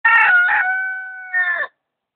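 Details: White Silkie rooster crowing loudly: a single hoarse crow of about one and a half seconds, with a harsh, broken start, a long steady middle and a short, rough final flourish, then silence.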